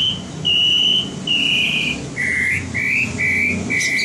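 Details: White-rumped shama trained for competition singing: long, pure whistled notes, first several high steady tones, then a run of slightly lower, short rising whistles, with a faint low hum underneath.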